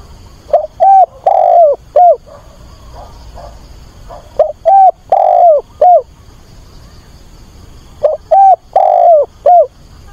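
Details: Decoy spotted dove calls for a mate with three repeated phrases, each a soft lead-in note followed by four hollow coos, the long central coo falling in pitch; roughly four seconds between phrases.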